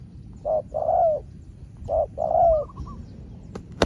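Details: Spotted dove dueling at length with a small-voiced wild rival, the two trading calls in turns: two low coo phrases, each a short note followed by a longer, slightly falling coo, then a faint soft trill and a sharp click.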